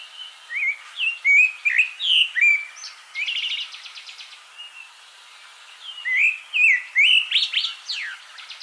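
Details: Abyssinian thrush (Turdus abyssinicus) singing varied, rich whistled phrases with rising and falling slurs, broken by a brief buzzy rattle; a pause, then more fluted notes.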